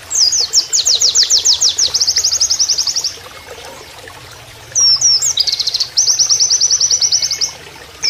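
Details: Oriental white-eye singing a canary-like song used as a training master, over the sound of flowing water: fast, high repeated trills of short sweeping notes in bursts lasting up to three seconds, separated by pauses.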